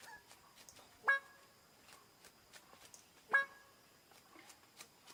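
A bird of paradise gives two loud, nasal, horn-like calls about two seconds apart, with faint clicks and rustling in the background.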